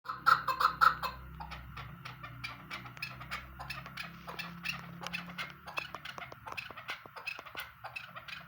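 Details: Chukar partridge calling in a rapid run of short clucking notes, loudest at the start and then continuing more softly, with a steady low hum underneath.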